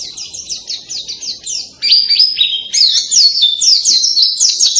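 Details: Loud white-eye song said to resemble a canary: rapid runs of high, sweeping chirped notes, at first softer, then from about two seconds louder with fast trilled phrases and sharp descending slurs, continuous without pause.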